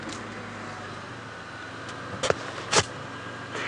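Idling vehicle rumble during an evening safari drive, broken by a couple of sharp mechanical clicks and knocks like a door or window, with no animal calls audible.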